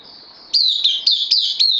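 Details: Bulbul kept in a cage, newly arrived on loan, 12 September 2020: five crisp, descending whistled notes in rapid succession after a moment of quiet, with a constant shrill hum behind.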